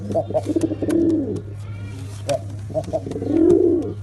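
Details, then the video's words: Black pigeon cooing: short pulsed notes leading into a long arched low coo, repeated twice, with a low mains-like hum beneath. "Pigeon sound effect (Ultra high quality) | Pigeon sound | Black pigeon"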